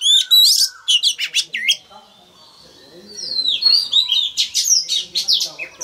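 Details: Male Oriental magpie-robin singing loudly to prompt a young bird to open its beak and sing along: bursts of sharp, high whistled notes and rapid chirps, a short pause, then another run of varied whistles and trills.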